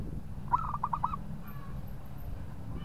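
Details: Local zebra dove singing to draw a rival into answering: a single brisk run of about five soft, rounded coo notes in quick succession, then faint distant coos against a low steady rumble.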